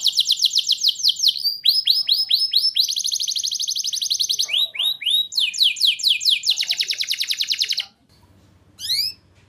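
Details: Persistently singing canary, played to prompt juvenile canaries to answer: bright fast trills and rows of downslurred chirps for about eight seconds, then near silence with a faint low hum and a final short rising note.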